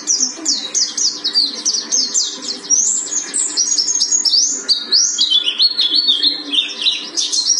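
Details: Pleci buxtoni from Gunung Karang delivers a continuous stream of high, rapid chirps and brief trills, varied and jumbled, with a faint low hum underneath.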